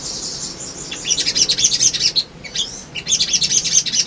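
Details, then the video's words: Male sunbird in full, energetic song, used to lure others into responding: a continuous high, chattering twitter mixed with thin whistled slurs and quick chirps, with hardly a break. "SOGON GACOR PANCINGAN BAHAN IJOAN"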